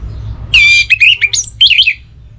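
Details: Orange-headed thrush song used as a morning and evening lure to get other birds singing: a loud whistled opening note, then a quick run of varied, rising and falling warbled phrases, with a low hum beneath.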